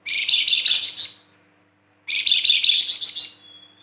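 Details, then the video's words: Two harsh, buzzy chattering phrases about two seconds apart, from a Flamboyan whose singing includes whistles, 'tembakan' bursts and rough notes. The second phrase ends in a thin, steady whistle. "PANCINGAN BURUNG FLAMBOYAN GACOR"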